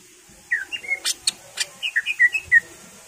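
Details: A greater green leafbird sings a rapid series of short whistled notes, about three per second, mixed with sharp clicking sounds. The recording is used to stimulate other birds to sing.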